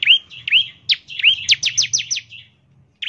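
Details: Bar-winged prinia in rapid 'ngebren' song, used to get other prinias singing quickly; upslurred whistles lead into a fast burst of six sharp, steeply falling notes, then a brief silence.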